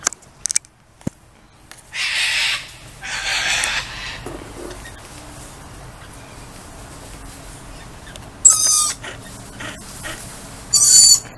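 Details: Lorikeets calling as they greet their owner outdoors: short, harsh, broadband screeches in separate bursts, with a quieter stretch of background hum between them.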